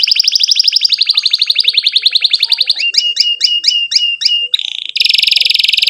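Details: Canary in long 'ngerol' rolling song with 'cuit cuit' notes, played so young canaries learn to sing: a long rapid rolled trill, then spaced double-pitched chips, ending in a dense high buzz.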